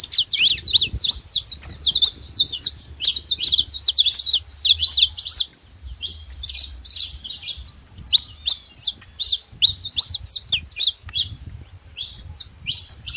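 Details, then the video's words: Wild saffron finch in natural surroundings giving a long, fast, jumbled song of high chirps, trills and sweeping slurs, nearly unbroken for over ten seconds, with a quiet low hum behind. "canário da terra livre na natureza com belo cantos"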